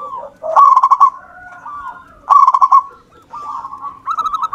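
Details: Lively zebra dove of local wild stock: two loud bursts of rapid stuttering coos, each running into a softer drawn-out cooing tail, with quieter wavering coos between them and at the end.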